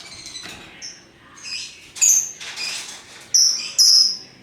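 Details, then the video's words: Lovebirds of many colours, described as giving their ngekek chatter, make scattered high squeaky chirps and short shrill bursts, the loudest near two and four seconds, with quiet gaps between. "Burung Lovebird Rupa Rupa Warnanya, Burung Paruh Bengkok, Bunyi Ngekek Gacor"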